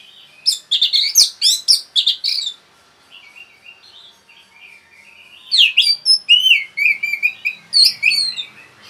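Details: Orange-headed thrush, kept, giving fast 'rapet' song to rouse other birds: a quick rich warble of varied slurred notes, a softer low twittering interlude, then a long lively run of bubbling, rising and falling whistled notes.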